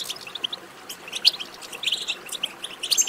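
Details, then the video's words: Goldfinch betbeta twitter for stimulating song: quick, high, liquid chirps in uneven bursts, with a few sharper accented notes standing out. "بتبتة ماهرة في تحفيز الحسون على التغريد"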